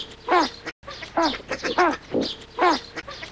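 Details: Great white pelican (Pelecanus onocrotalus) giving nasal, reedy calls, each a short note that arches up then falls, roughly one per second, with a lower groaning note between them.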